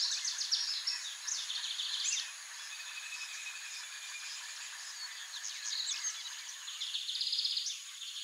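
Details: Rusty-collared seedeater (Sporophila collaris), song.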